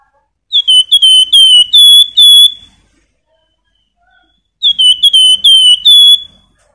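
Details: Javan white-eye song used as a tutor and lure for contest songbirds: two bursts of rapid high whistled notes, each slightly falling then level, about seven notes per burst, separated by a few seconds of silence.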